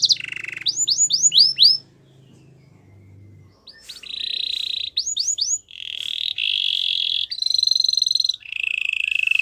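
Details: Belgian canary singing, its song opening with a bright note and a run of quick rising sweeps, then after a short quiet spell switching through steady buzzy rolls and repeated slurred notes at several pitches.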